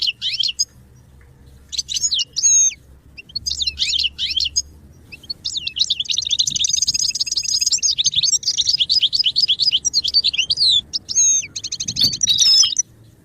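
Goldfinch song: bright, tinkling twitters and liquid trills in short bursts, then a long rapid run of high chattering notes with buzzy accents.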